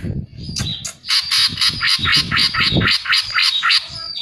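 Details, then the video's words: Greater green leafbird song played as a lure so other birds will join in. Quick buzzy notes repeat about four times a second over a steady high whistle, with low background rumble. "pancingan cucak ijo agar ikut gacor"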